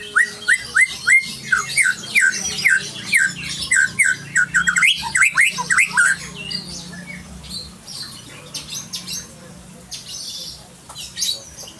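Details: Song of an Aceh white-rumped shama: a series of repeated clear whistled slurs roughly twice a second for several seconds, then shifting into quieter, varied warbling and high twittering notes.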